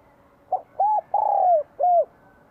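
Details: Vigorous spring 2023 song of a Vietnamese spotted dove with a bell-like voice, used to provoke wild doves: a single phrase of four mellow coos, the third long and sliding downward.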